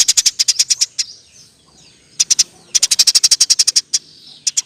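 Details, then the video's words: Eurasian tree sparrow singing 'gacor' with tight 'roll tembak' rolls, recorded as a master for teaching songbirds such as murai batu and kacer; sharp high chips in rapid trains, a long run of about fourteen near the end. "Burung gereja gacor. Roll tembak pas untuk masteran"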